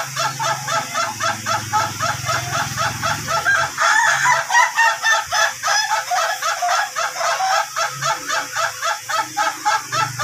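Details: Duration-type Ayam Ketawa rooster in training for long crowing gives a rapid chain of cackling, laughing notes, nearly four a second. A loud rustling burst is heard mid-way, and a low hum sits underneath.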